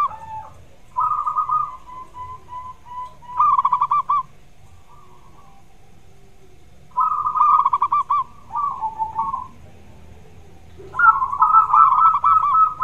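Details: Gacor zebra dove, played to coax a lazy-singing dove into song, gives several bursts of rapid, stuttering coos; each phrase rolls in quick beats and some waver downward. Short silences fall between phrases.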